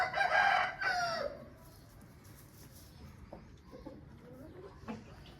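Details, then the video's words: The end of an Aseel rooster's harsh crow opens the recording, then fades into background murmur with a few soft clucks and short distant sounds. "Aseel Bird Sound Effect"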